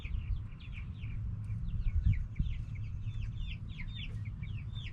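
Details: Noisy backyard hens and roosters: dense, overlapping high peeps sliding downward, several birds at once, with a couple of soft thumps and a low background rumble.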